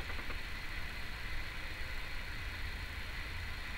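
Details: A steady rumbling, engine-like noise with broad hiss continues throughout, and no animal voice is heard.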